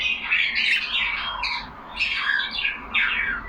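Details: Caged pet budgies, yellow Australian parakeets kept indoors, chattering among themselves: warbling, buzzy squawks and rising chirps in overlapping bursts, swelling roughly every second, with a faint low room hum beneath.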